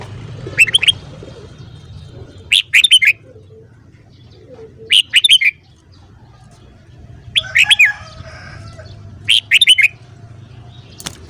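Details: A red-whiskered bulbul sings a voice-training morning song: five short, bright, bubbling whistled phrases, one about every two seconds, over a faint low background hum.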